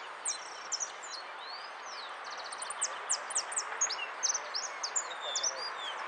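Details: Hooded siskin at a song competition in Monte Grande, 18 January 2015: a fast, high twittering song of thin slurred notes and brief buzzy trills over a steady background hiss.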